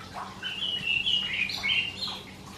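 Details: Karoo thrush heard at dawn in summer, typically singing before the sun is up; continuous rich, fluting warbles with quick shifting pitch fill the phrase, backed by a faint constant low hum.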